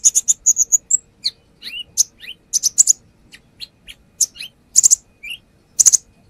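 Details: Konin, the brown-throated sunbird, in a lure recording: lively stream of very high rapid chirps, upslurred squeaky whistles and clustered piercing chips, delivered in bursts with short pauses.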